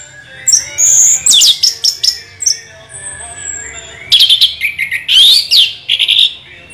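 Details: Orange-headed thrush singing a rolling song: loud sweeping whistles and rapid twitters rising and falling, a quieter stretch with a long thin whistle, then another strong burst of slurred notes.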